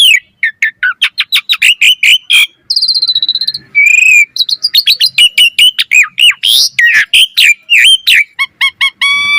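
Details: Asian pied starling training song in 'gacor' style: a fast train of sharp repeated chip notes, a buzzy trill, a long whistle, then more rapid chips and stacked tonal notes.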